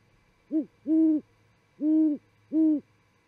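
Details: Great horned owl, described as chatty, visiting an osprey nest in Charlo, Montana, at 00:45 on 28 December 2017: four deep, soft hoots, a short one then three longer steady ones, with a faint low hum behind.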